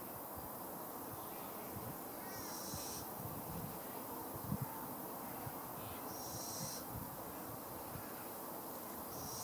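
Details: Fledgling Little Owl calling with high, breathy, hissing screeches spaced about four seconds apart, three in all, over a background of low rumbling and hum.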